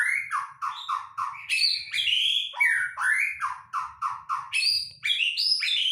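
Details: White-rumped shama song used as a lure to make a shama sing: rich, loud phrases of downslurred whistles near the low end, repeated in quick bursts, then rising higher notes with buzzy overtones, almost continuous.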